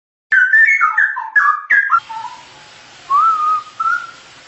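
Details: Straw-headed bulbul singing in full, continuous song as a tutor recording for training birds: loud, rich warbled phrases sliding between low and mid pitch, then a pause and two softer, drawn-out whistled notes.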